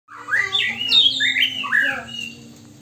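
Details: Magpie robin singing a song tutored with mimicked Poksay Hongkong and Wambi phrases, learned for lack of proper tutor birds around it; loud rich whistled phrases sliding up and down, several quick warbled notes in under three seconds, faint low hum behind.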